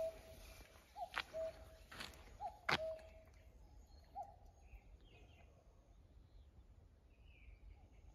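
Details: A common cuckoo noted as singing off-key for a second year gives three two-note calls, higher note then lower, in the first half, among sharp knocks and thuds; faint distant chirps follow.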